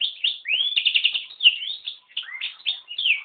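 A yellow-rumped serin and canary hybrid sings a fast, high warble of chirps, short trills and slurred whistles, almost without pause. Nothing else is heard.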